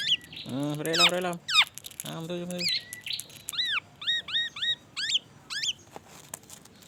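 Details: Black-naped oriole in vigorous song with white-rumped shama imitations: a run of high, arched, repeated chirps and whistles at roughly half-second intervals, with men's voices talking at the start.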